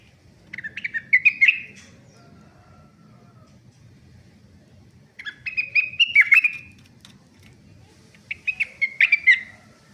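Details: Sunda laughingthrush, a young bird now singing continually: three short bursts of rapid chattering and whistled notes, each ending in a clearer slurred whistle, separated by long quiet gaps with low background hum.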